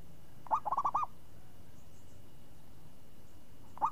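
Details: Champion zebra dove with a crisp, swinging voice: a rapid phrase of about six bubbling coos, then near-silence, and finally a single coo near the end.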